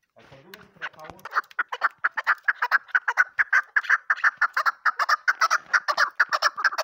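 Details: Female desi cross chukar partridge used as a hunting decoy: after a second of soft low murmurs, a rapid run of sharp clucking chuk notes, roughly two per second, grows steadily louder and more even.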